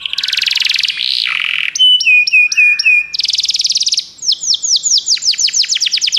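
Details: Canary song used to encourage a pet canary to sing: a buzzy roll, then clear whistled notes held in short steps, followed by a dense trill and quick sweeping downslurred syllables.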